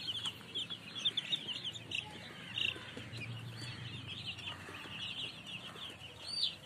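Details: Young chickens peeping in a busy group, high-pitched cheeps tumbling over one another without pause, along with a faint low hum underneath.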